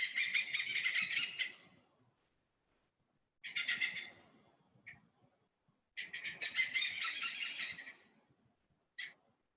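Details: Oriental Pied Hornbill from Kinabatangan, Borneo, a common and resilient hornbill: three bursts of loud, raucous cackling, each one to two seconds long, separated by pauses, with two short single squawks between and after them.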